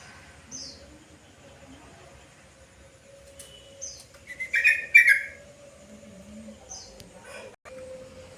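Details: Yellow-vented bulbul in the afternoon, its call used to draw other bulbuls into answering. Quiet stretches with scattered faint chirps and a steady low hum, broken midway by a loud burst of rapid, bubbling notes.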